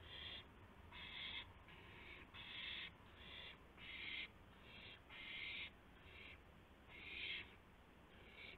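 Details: Owl voice at 12:25 AM on April 7, 2016, around a gopher delivery, flapping and pouncing; dense run of harsh, breathy rasping bursts, nearly back to back at first, then slightly spaced, over constant low background hum.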